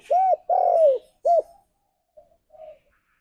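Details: Spotted dove calling its companions: two loud arched coos, the second long and falling, then a short arched coo, followed by faint softer murmuring notes.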